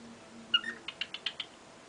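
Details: Cockatiel tapping its beak: a short series of about six sharp clicks at a fairly even pace, preceded by a faint brief chirp.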